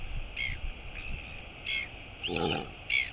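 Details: Female royal albatross chick greeting its returning mother at a feeding on 23 August 2022: short high whee notes in separate bursts, one harsher broadband call midway, against constant wind hiss.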